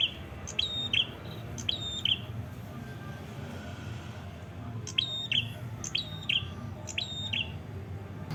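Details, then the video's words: Red-headed prinia singing vigorously in Kedungprahu village, Padas, Ngawi, East Java, Indonesia: two bursts of high, sharp repeated phrases, each a short whistle with a quick upward flick, separated by a quiet gap, over a low background rumble. "mp3 Suara Prenjak Kepala Merah Gacor cocok untuk masteran atau pikat"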